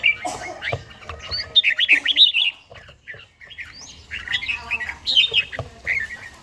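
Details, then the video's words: Red-whiskered bulbul, a mature bird with a forest voice, in morning song practice, Gia Lai; jaunty warbled phrases of rising and falling whistles in two rapid bursts separated by a brief pause. "chàomào HÓT SÁNG, LUYỆN CHIM HÓT HẰNG NGÀY"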